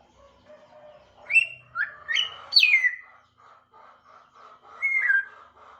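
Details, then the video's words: African grey parrot starting to chirp: soft muttering, then a burst of three or four rising-and-falling whistles, a pause of low chatter, and one more slurred whistle. "Burung African grey berkicau"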